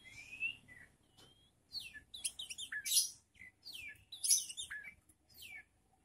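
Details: Young untrained magpie-robin, mentally tested against other birds: a bright rising whistle, then a rapid run of varied chirps, harsh scratchy notes and descending slurred whistles in quick bursts.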